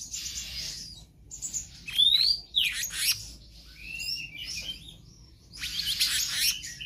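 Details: Black-naped Monarch in lively 'gacor konslet' full-variation singing, used as a tutor for other birds: a varied run of high, sharp chirps and quick upward-sweeping whistles in bursts separated by brief pauses.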